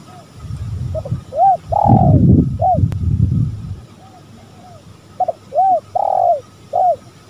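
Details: Spotted dove calling in a lure recording that features male and female birds: two hoarse coo phrases, each a quick stutter, a long rolling coo and a short closing note, with a low rumbling noise between them.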